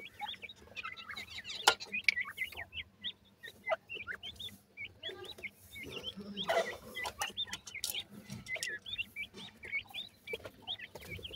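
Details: Dense chorus of high, short, upturned peeps from grey francolin chicks, repeated almost nonstop, with soft rustling and a few knocks beneath.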